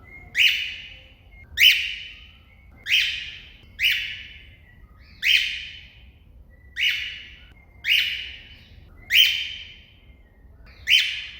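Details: A cockatiel calling to another cockatiel gives loud, shrill, slightly falling calls, repeated about every second and a half.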